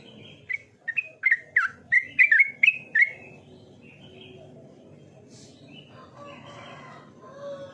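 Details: Yellow-vented bulbul (trucukan) in full, active song: a quick run of bubbly, gurgling whistled notes over about two and a half seconds, each note dipping or rising, then a quieter stretch with faint distant chatter.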